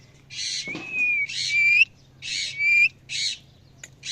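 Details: Parrot calling at evening: harsh, raspy squawks in short bursts alternating with thin, rising whistled notes, about five calls over four seconds.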